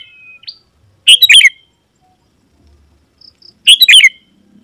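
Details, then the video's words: Sooty-headed bulbul singing hard to call rival wild birds closer. A faint whistle with an upflick opens the clip. Two separate loud bubbly bursts of warbled notes follow, about two and a half seconds apart. "Suara Burung KUTILANG GACOR Memanggil Lawan Burung Kutilang Liar Auto Nyaut dan Mendekat"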